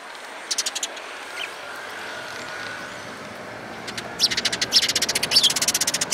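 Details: Sparrows gathering at food at a Tenmangu shrine in Japan on 11 April 2018; a short burst of sharp chirps early, then a rapid run of dense, bright chirping near the end over steady traffic hum.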